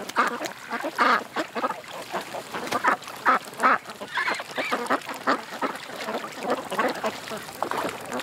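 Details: Several ducks at a creek quacking in short, separate bursts roughly every half second, harsh nasal notes overlapping with quieter chatter between them.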